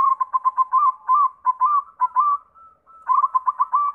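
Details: Local zebra dove giving repeated rolling coos, a string of quick pulsed notes broken by short, drawn-out slurs, then another rapid bubbling series.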